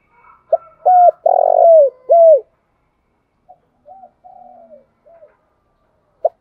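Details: Lure-call song of a spotted dove, used to draw in wild doves: a brisk run of clipped coos, a vibrating drawn-out coo and a drooping end note, then faint quiet coos and one short note.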